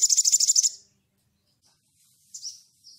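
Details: Sunda bush warbler (sogon) calling to a rival: a short, fast, high rattling trill fades out, followed by silence and then a couple of faint slurred high notes.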